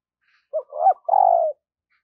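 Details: Single phrase from a spotted dove decoy calling wild birds in the morning: a short coo, a rising-falling coo, then one long, steady, slightly falling coo.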